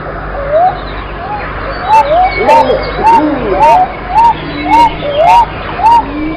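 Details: Pigeon giving a steady series of short arched tonal notes, nearly two per second and evenly spaced, with a few lower overlapping calls and light clicks in the background.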